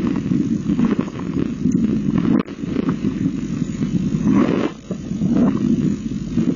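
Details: Steady low rumbling noise like wind or a passing engine, with no animal call heard.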